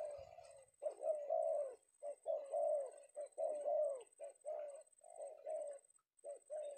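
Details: Male spotted dove known as a Penguku, trapped in Indonesia in the afternoon, cooing in clear repeated phrases, each a short note then a longer wavering one, with a thin high hiss behind.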